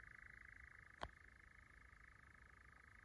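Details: European nightjars churring in Llanwonno Forest, 2022: a steady, unbroken mechanical purring trill held at one pitch throughout, with a single sharp click near the middle and a low background rumble.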